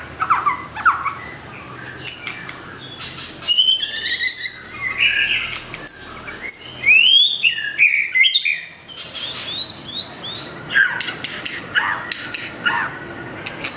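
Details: Long-tailed white-rumped shama singing in bursts: sharp sweeping whistles and quick twittering flourishes separated by gaps, over a steady background hiss.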